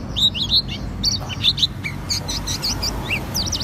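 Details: An Oriental white-eye (auri pleci) in full ngriwik song gives a rapid, high twittering of thin chirps and short trills, varied and irregular, over a low steady hum.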